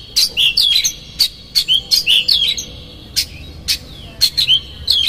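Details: Oriental magpie-robin singing a lure song meant to provoke other magpie-robins into tail-opening agitation, in the konslet style with rough fill phrases: sharp whistled notes near high pitch mixed with short harsh rasping bursts, irregular phrases with brief pauses.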